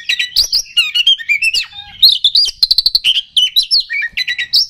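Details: Oriental magpie-robin song played to raise the fighting mood of kacer: a dense jumble of chirps, sliding whistles and fast clicking trills, with varied phrases tumbling together.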